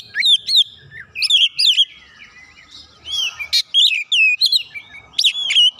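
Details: A white-rumped shama, roused by a rival, sings clear swooping whistles and quick chattering notes in short energetic phrases with small gaps between them.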